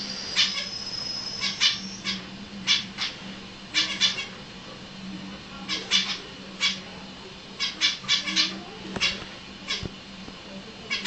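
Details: Several caged finches trade short, bright, high chirps in quick irregular bursts, with a low steady mechanical hum underneath.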